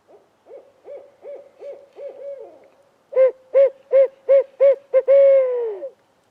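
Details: An unseen barred owl keeps answering with robust return calls after another owl flies off, on a spring turkey hunt. Faint rapid hoots build to six strong, rhythmic hoots and end in one long, drooping note.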